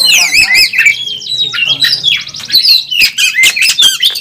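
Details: Oriental magpie-robin fighting at a competition track, national first-place winner, delivering a full fill-in song: cascades of rising and falling whistles, rapid trilled runs and sharp clicks, loud and continuous throughout.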